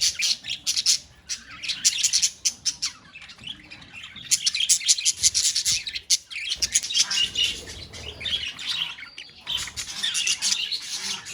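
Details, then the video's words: Budgerigars calling together in a colony: dense, overlapping high chirps and warbles in rapid bursts, with short gaps near one and six seconds before the chatter swells again. "Budgies Sounds in Colony | Parakeets Sounds in Colony"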